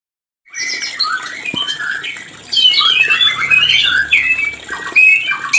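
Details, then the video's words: White-rumped shama mating call, played to rouse breeding desire in birds whose breeding has stalled; after a brief silence, a dense run of varied whistles, chirps and harsh notes, growing louder midway, with a faint low hum beneath. "Suara ini untuk memancing Birahi murai Batu yg macet Produksi"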